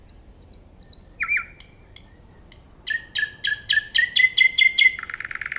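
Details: Nightingale singing: a series of short high whistled notes, then lower sliding phrases and an accelerating run of sharp repeated notes over a sustained tone, ending in a rapid buzzy trill; faint background hiss.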